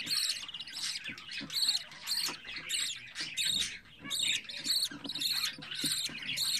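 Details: Captive-bred budgerigar chick, fourteen days old, kept at home: rapid, raspy high chirping calls repeated in quick uneven bursts, about one to two per second, with soft background rustling.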